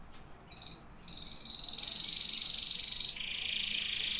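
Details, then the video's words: Singing canaries: after a short high note, a sustained buzzy rolling trill builds in loudness, then shifts to a slightly lower pitch and continues, against a quiet background. "Singing canaries."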